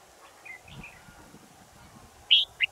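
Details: Red-whiskered bulbul captured during a new camera test, giving faint slurred whistles and then two loud, sharp, bright notes close together near the end, over quiet low background noise.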